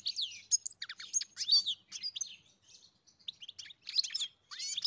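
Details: Goldfinch song of bright twittering phrases with sweeping slurred whistles and clipped chirps, pausing briefly midway before resuming in quick bursts.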